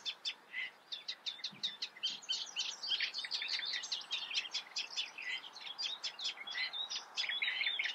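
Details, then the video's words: Eurasian reed warbler singing in the Eifel: evenly spaced grating chirps at first, accelerating into a long rapid scratchy chatter with repeated churring motifs. "Teichrohrsänger (Acrocephalus scirpaceus), Eurasian reed warbler"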